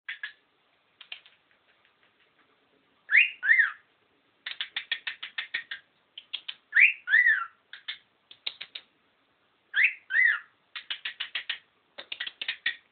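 A cockatiel gives loud, arching whistled notes mixed with rapid, clicking chatter that sounds almost mechanical.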